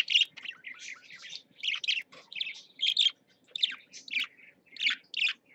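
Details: Pet parakeets in a cage: bursts of harsh, chirpy warbling roughly every half second to second, some louder squawky notes, and a faint hum underneath.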